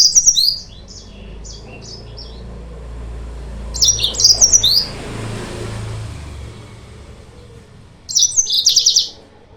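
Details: Yellow-fronted canary song used as a lure to provoke rival birds: three short bursts of high, quick twittering notes, separated by quiet gaps with a low background rumble.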